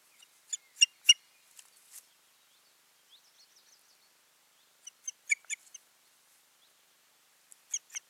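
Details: Osprey pair at the nest in Finland on 14 June 2019, after a failed breeding attempt; short bursts of sharp, high piping yelps in clusters of three to six notes, separated by silent pauses.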